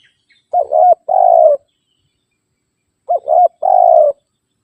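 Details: Spotted dove calling rivals, used to lure wild doves: two phrases about two and a half seconds apart. Each is a dipping double coo followed by a long, even, burry coo.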